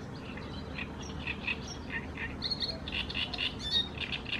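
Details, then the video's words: Great reed warbler in Croatia: a dense run of harsh, grating, chattering notes repeated rapidly, growing louder toward the end over a low background rumble. "Veliki trstenjak , Achrocepalus arundinaceus , Great Red Warbler"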